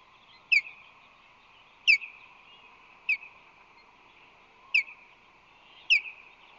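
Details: Osprey pair at a San Francisco Bay nest with newly hatched chicks, May 2, 2021, the female taking her first break since hatch while the male tends the nest; five sharp, descending whistled chirps about every 1.2 seconds over a steady hum.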